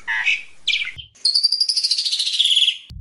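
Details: Jalak suren (Asian pied starling) singing a complete isian song: a few warbled chirps, then a long, buzzy, pulsing high trill that slowly falls.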